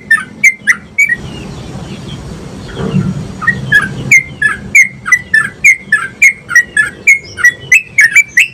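A bulbul sings a fast string of bright, bubbly chirped notes, about three per second, with a brief low rumbling pause near the start.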